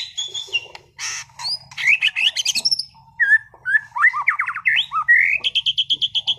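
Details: Competition-class caged white-rumped shama from Sragen pouring out its mimicry repertoire: rapid varied phrases of sharp chips, slurred whistles and fast trills, ending in a quick run of evenly repeated high notes.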